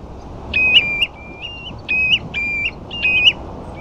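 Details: Ringed plover calling on the sandflats at Ferrybridge, Portland, where a few dunlin also feed: a rapid run of about six fluty, rising 'too-ip' whistles, each ending in a sharp upward lilt, over faint low background noise.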